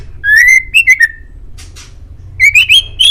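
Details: White-rumped shama (murai batu), a male, in training-master song: loud whistled phrases of rising and falling slurred notes, a pause with faint rasping, then a quick run of climbing whistles.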